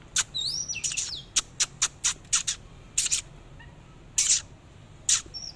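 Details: Song of an Oriental magpie-robin during its dancing display: an opening looping whistle, then a string of short harsh high chips spaced unevenly, a pause, and two last scratchy bursts with a thin whistle at the end.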